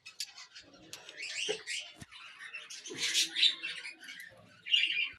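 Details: Cockatiels chatter in a restless stream of raspy chirps and squawks, swelling in the middle and ending with a short loud screech.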